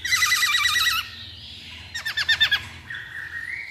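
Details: Lure song of a masked laughingthrush, meant to set other birds singing. It opens with a loud, fast quavering trill, pauses, then gives a burst of harsh repeated notes and a faint rising whistle.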